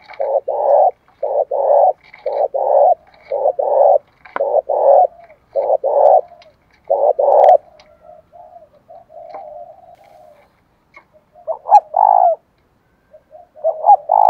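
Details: Decoy spotted dove of the thổ voice style, repeatedly cooing to lure wild doves. Loud paired coos are delivered roughly every one to one and a half seconds, then a quieter murmuring stretch, and the strong coos resume.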